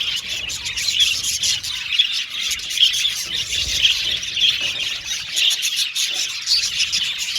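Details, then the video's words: Aviary full of budgerigars chirping and squawking, the flock chatter swelling and dipping slightly in loudness, with short sharp notes sprinkled through a continuous twitter. "Budgies Birds Natural Sound | Budgies Chirping Sound | Budgies Singing Sound"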